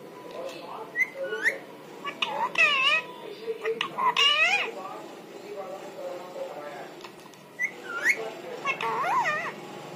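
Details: Parrot talking in imitation of human voices, many harmonic voice-like syllables and squawky phrases in quick succession, over a steady hum.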